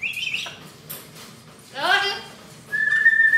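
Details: Pet parrot kept indoors in a home, giving a high, level whistled note, then a brief run of speech-like syllables that slide downward, and a long, steady whistle at the end.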